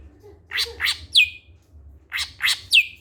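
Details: Greater green leafbird in its characteristic voice: a phrase of two harsh, buzzy chirps followed by a sharp downslurred whistle that levels off. The phrase is repeated twice with a short gap, over a faint low hum.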